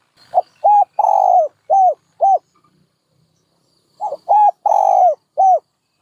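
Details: A dove gives two cooing phrases about three seconds apart, each with short arched hoots flanking one longer, slowly falling coo.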